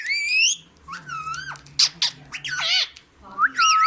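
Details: Indoor green parrot voicing "Mian Mithu" in Urdu: rising and falling harmonic whistles, rough speech-like syllables with sliding pitch, and a final bent whistle, all loud and closely spaced.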